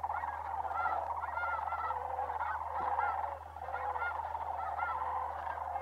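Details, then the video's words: December migration of sandhill cranes at Bosque del Apache Wildlife Refuge, New Mexico: an overlapping, rolling chorus from many birds, with looping honks on top, briefly dipping in loudness midway, over a constant low hum. "Sandhill Crane Migration at Bosque Del Apache"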